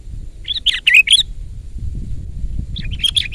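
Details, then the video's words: Sooty-headed bulbul song used as a lure and tutor recording: two bursts of bubbly, slurred notes around the upper-middle range, the first a quick run of four phrases, the second softer and more scattered, over low background rumble. "ISIAN BURUNG KUTILANG GACOR MEWAH !! SUARA KERAS"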